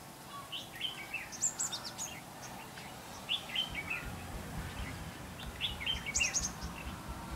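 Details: Red-whiskered bulbul acting as a decoy during trapping on 5 November 2016, singing short warbled phrases of bright, slurred notes in clusters roughly every two seconds, over a low rumbling background.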